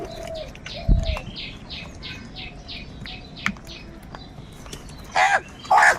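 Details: Large numbers of crows fighting for food give a run of about nine harsh, evenly repeated calls over four seconds. A few scattered cries follow, then two loud noisy bursts near the end.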